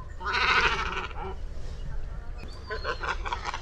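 A Great Cormorant gives a hoarse, bleating croak, then a run of rough guttural pulses, over steady low rumbling wind or surf.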